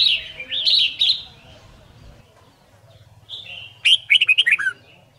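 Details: Competition singing by a white-cheeked red-whiskered bulbul, used to train birds to pick up song fast: a loud, rolling whistled phrase, a quiet pause with low hum, then a burst of quick descending notes.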